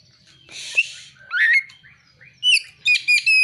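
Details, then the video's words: Oriental magpie-robin song with imitations of prinia (ciblek) and sunbird (kolibri) calls: a harsh rasping burst, then rising whistled slurs and a quick series of sharp high chips ending in a level whistle. "Kacer (materi ciblek dan kolibri)"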